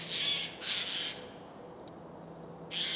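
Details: Wild tawny owls, a female above and a male below, at Losiny Ostrov in January 2019. Two quick raspy, hissing shrieks open the moment, then a pause with faint distant sounds, then another harsh burst.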